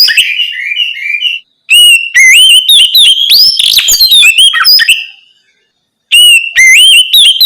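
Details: Oriental magpie-robin in full open song at night, meant to spur untrained birds to sing back: a wavering trilled start, then fast, loud, varied whistles and slurred notes, silence, and a final lively burst.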